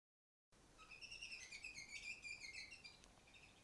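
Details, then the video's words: Female canary, kept caged and singing from on top of the furthest cage, gives a quick, continuous warbling run of high bright chirps and trills after a brief silence, steady and lively throughout. "Female canary singing"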